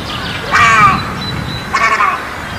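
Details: Egret giving two harsh, croaking calls about a second apart, each a short rasping burst, over a steady background hiss.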